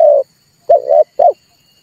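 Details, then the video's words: Red collared dove coos, used as a trapping lure to excite birds into calling: one long low note, then a wavering drawn note and a short falling note, with a faint high electronic hum behind. "tiếng chim cu ngoi dùng cho kich chim hót dùng để bây"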